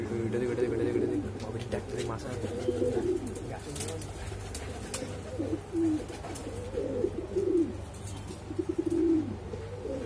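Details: Boom calls from Exhibition Homer and Shiraji domestic pigeons, with deep rolling coos rising and falling in short bursts, several phrases overlapping, against a constant low hum and some faint voices and clatter.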